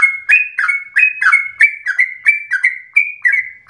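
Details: Sooty-headed bulbul singing in a rapid, insistent, emotional style meant to provoke and train caged birds: bright repeated chirps, each a short rising whistle dropping into a rougher lower note, roughly three every second.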